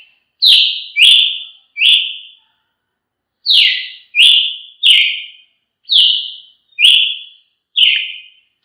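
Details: Brazilian tanager, tiê-sangue, delivering a brisk run of ten clear whistled notes, each sliding downward, grouped in threes and fours with a short gap midway, against complete quiet.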